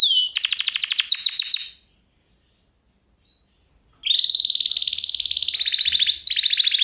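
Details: Canary song lesson for canaries: a quick series of bright chirped notes, about two seconds of silence, then a long steady rolling trill with a short break before it resumes.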